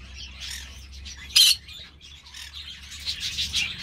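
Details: Captive green-cheeked parakeet giving one sudden, loud, grating screech amid low, continuous chattering and a background hum.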